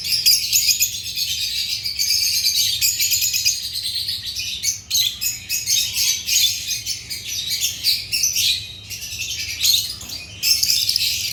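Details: Agapornis lovebirds, African parrots, keep up a continuous, dense stream of shrill, high chirps and chatter for the whole stretch, with brief dips in loudness.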